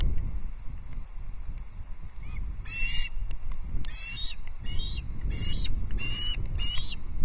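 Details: Osprey chick at Loch Arkaig, 19 August 2022, being fed its second fish; after a quiet start, a run of loud, shrill, harsh whistled squeals repeated about twice per second, over low wind rumble.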